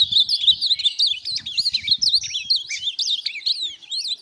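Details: Rapid warbling from an Ultramarine grosbeak kept for song tournaments: dense chains of short, high, zigzagging notes with almost no pauses. Faint low knocks run beneath the song.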